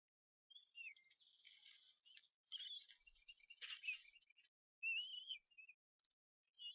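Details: Bald eagle eaglets at the Harrison Bay nest on 18 May 2015, siblings crying when a parent brings food, cries seeming to harmonize; a run of high squeaky chittering notes and thin wavering whistles in bursts, with brief silent gaps.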